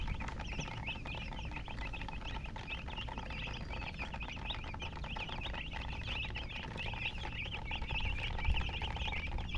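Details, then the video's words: Chickens, including a hen, chirping steadily: a dense stream of short, high chirps from many birds overlapping at a quick, uneven pace, with a low rumbling background throughout. "chicken chirping sounds"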